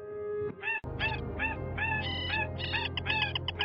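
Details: Slaty-breasted rail giving harsh, nasal, honking notes in quick bursts, several per second, over a steady low hum; presented as a distress call of a female separated from its flock.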